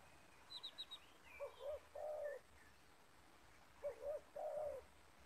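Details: Spotted dove of the 'banggo' voice type, heard far off in a yard during luring with a decoy bird. Two soft low three-note coos, preceded by high thin chirps from another small bird.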